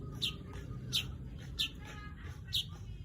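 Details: Four crisp, high chirps from a weaver, repeated about every two-thirds of a second, each a brief downward slur, against faint low background noise.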